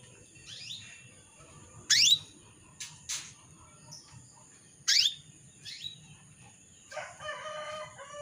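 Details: Female canary calling the male, a lure to stir males into singing. Loud upward-sweeping chirps recur roughly every three seconds, softer short notes between, and a brief buzzy rattle near the end, above a steady high hiss.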